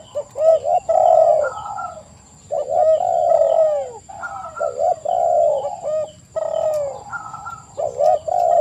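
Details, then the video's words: Overlapping spotted dove coos, soft throaty notes in quick groups and longer slurred phrases falling in pitch, continuing almost without pause. "TEKUKUR GACOR suara merdu"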